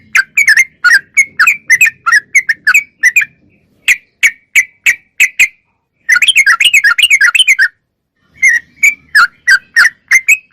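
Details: Sooty-headed bulbul singing vigorously in a clear recording: irregular series of bright chirped notes, a fast rattling run in the middle, then more spaced chirps, over a faint low background sound.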